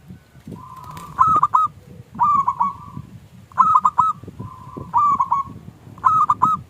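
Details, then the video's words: Local zebra dove giving small klung song, used to provoke other doves: a drawn-out coo followed by two or three sharp notes, repeated about every one and a half seconds over a low background rumble. "Perkutut Lokal Gacor Suara KLUNG Kecil PIKAT Juara Pancingan Perkutut Macet Langsung Nyaut"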